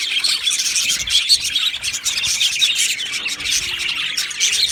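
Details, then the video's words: Aviary colony of Australian budgies giving a steady mass of overlapping high chirps and twittering warbles, busy and unbroken throughout. "Australian Budgie Chirping Sounds"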